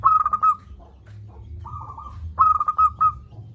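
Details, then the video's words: Local zebra dove with a loud, big voice, used as a lure to make lazy doves call: stuttering coos in clipped phrases repeated three times, the notes level and mid-pitched with short pauses between, over low background hum. "Perkutut lokal gacor suara besar - Masteran Ampuh Mengatasi perkutut Malas bunyi"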